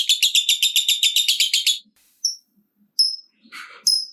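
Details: Lovebird ngekek used to goad other lovebirds into singing: a quick burst of rapid, high, buzzy repeated notes lasting under two seconds, followed by a few sparse thin chirps and a brief rustle.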